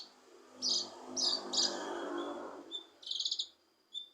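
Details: Kinoi leafbird song used to trigger a silent kinoi: bright high chattering notes and a buzzy trill over a broad low noisy rumble.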